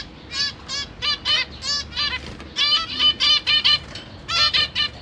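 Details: A caged zebra finch family, two adults plus three juvenile and three newborn young, parents feeding them, September 2023: bright, nasal, harmonic beeps repeated in uneven clusters, growing busier toward the middle.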